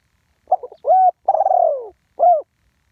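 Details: Spotted dove recorded live, ground decoy one-kuk style: a quick stuttering lead-in, a flat hoot, a drawn-out burry note falling in pitch, and a brief rounded final coo, in clear silence.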